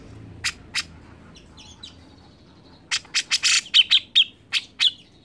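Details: Grey-cheeked bulbul singing persistently as a prompt for other birds. Two isolated notes and soft twitters are followed by a quick series of loud, rasping clipped notes that gradually spread out.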